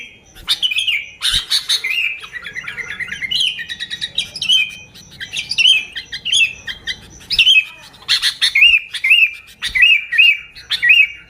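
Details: Sooty-headed bulbul, used as a lure for other bulbuls, giving lively chirping phrases of bright, bubbly notes, with a run of short repeated slurred whistles near the end and occasional sharp clicks.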